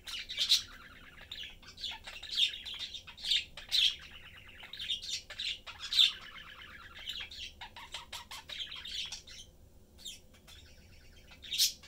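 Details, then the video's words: Three pet budgies, father, mother and young, chatting and having fun while eating; steady stream of warbled, buzzy chatter punctuated by loud squawky chirps every second or so, quieter toward the end. "Sunday cute Budgie/Parakeet family lives, chatting, having fun and eating."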